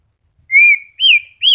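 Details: Moulting white-rumped shama, newly regrowing feathers, kept caged: three long pure whistles, the first steady, the next two sliding upward and then falling, with a short pause between them.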